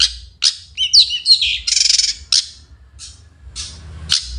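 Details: Morning song of a long-tailed shrike, a busy mix of harsh squawks, whistled slurs and a fast buzzy rattle in the middle, followed by scattered sharp chips and downslurred notes; quiet low rumble in the background.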